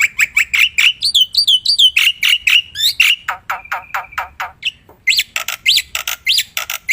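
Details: Singing black-winged myna in the wild, in vigorous 'gacor' song used as a bird lure. It gives a varied mix of clear whistles, rising slurred notes and scratchy chatter in quick, irregular phrases.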